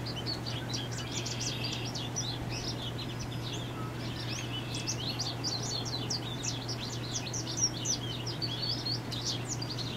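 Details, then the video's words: Male American goldfinch singing a long, rambling run of bright, high twitters and sweet warbled notes over a low hum, NW of Valeport, Saskatchewan, Canada, 15 May 2018. "American Goldfinch singing (male)"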